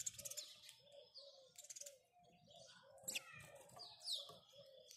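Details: House sparrows chirp in the morning in busy overlapping bursts of short, bright notes, with several birds calling at once and low pigeon-like cooing underneath.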